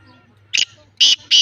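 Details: Black francolin, Lakka line, producing three loud, grating, buzzy notes spaced roughly every third of a second over a faint low hum.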